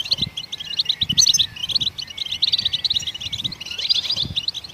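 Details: Goldfinch singing to stimulate other songbirds: a lively, tinkling run of high, clipped chirps and buzzy twitters delivered almost without pause, with soft low taps scattered through the background.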